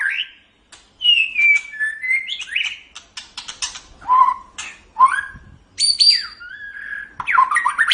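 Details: White-rumped shama singing, recorded for training other songbirds: separate whistled phrases, some sliding down, others clear and level, interspersed with scratchy clicks, pausing between bursts.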